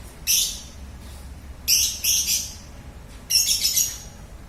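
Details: Lovebird giving three bursts of harsh, high chirping chatter, each about half a second long, separated by pauses, over a quiet background hiss.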